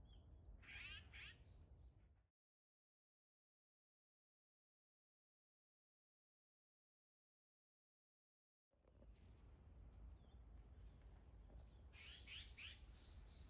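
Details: On 15 December 2021, flying azure-winged magpies give harsh, rasping calls in short bursts at the start and end, with a silent break between, over steady low rumbling background noise.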